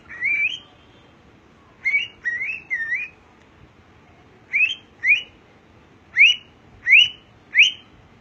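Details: A pet cockatiel being taught to whistle and sing gives bright, rising whistles in short bursts, each about half a second long.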